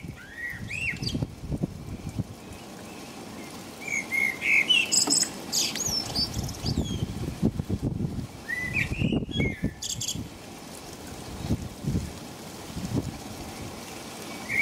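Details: Blackbird in England singing through the rain in the middle of the night, near 5 a.m.: scattered whistled phrases with rising notes and high, scratchy twittering endings, separated by gaps, over loud rain drumming and low rumble.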